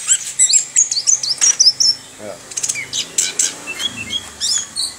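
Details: Orange-headed thrush pouring out a rolling song of quick, sharp high notes and sliding whistles, first in a dense rapid burst, then in looser, more spaced phrases.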